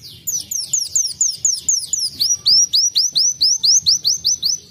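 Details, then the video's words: Sunbird in canary-imitating song, a steady series of high notes about four per second, first sharply falling sweeps, then clear upswept whistled notes repeated evenly. "KOLIBRI WULUNG KENARIAN"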